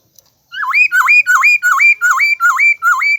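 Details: Clear, loud bird call repeated about seven times at an even pace, each note dipping then sweeping sharply upward in a hooked whistle, rich with overtones, no other sounds.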